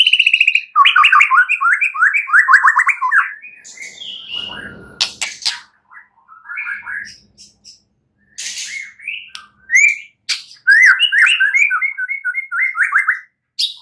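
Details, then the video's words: White-rumped shama singing at night, a rich varied song of rapid repeated chirping phrases and loud whistled notes, with short pauses between bursts; used to stimulate other birds to sing. "Pancingan murai batu MALAM HARI agar GACOR dan NGEPLONG"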